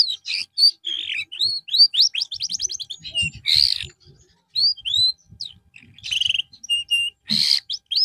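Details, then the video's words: Therapy singing from a canary, aimed at a bird that has lost its form: lively high phrases mixing quick rising sweeps, a fast rattling trill and clipped chirps, broken by two brief noisy bursts and short silences. "TERAPI BURUNG KENARI SETELAH AMBROL"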